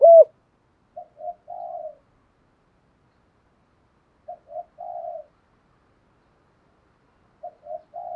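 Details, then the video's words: Spotted dove decoy call to provoke fighting: one loud opening coo, then three repeated quieter phrases of two short hoots and a longer burry coo, spaced about three seconds apart. "chim cu gáy Mồi bài bản giúp bổi nhanh nổi/ cu gáy kích bổi"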